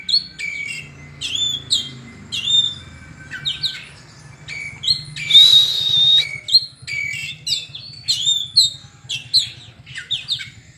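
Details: White-rumped shama song: spaced clusters of high whistled and chattering notes with a longer bright whistled phrase in the middle, over a faint steady low hum.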